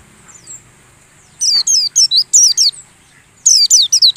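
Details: High-pitched white-eye lure song meant to train caged birds while they sit out in the morning dew: a faint note, then a lively string of bright falling whistles, a brief pause, and a second fast string.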